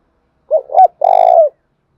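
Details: Decoy spotted dove calling energetically to attract other birds; two quick soft coos lead into a prolonged, evenly pulsing coo that tails off downward, with nothing else audible.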